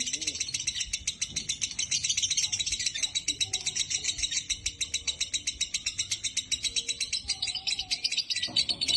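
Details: Male lovebird sunning in a cage, delivering a long, rapid, unbroken stream of shrill, scratchy chattering notes pulsing several times a second, with brief human speech near the end.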